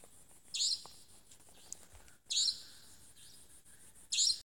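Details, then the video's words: At dusk in Tmatboey forest, Cambodia, 18 February 2018, a Savanna nightjar gives harsh high screechy notes, three short bursts about 1.8 seconds apart, with faint distant chirps and soft hiss between them. "Savanna Nightjar vocalizing"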